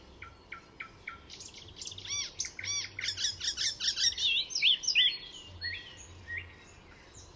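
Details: Icterine warbler singing at Fysingen reserve north of Stockholm, Sweden, a master mimic: a quickening sequence of varied chirps building into twisting, slurred whistles, then fading to scattered notes.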